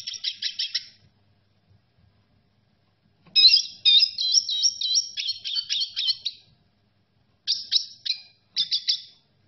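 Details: Red siskin song opening with a quick series of high chirps, a pause, then a long, rapid warbling twitter, followed by two short bursts of bright notes. Background otherwise quiet.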